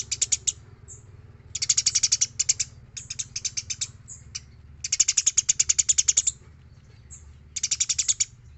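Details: Eurasian tree sparrow in full, active song used to train other birds: four rattling runs of high, rapid chirps, each lasting about a second, separated by short gaps, a steady low hum in the background.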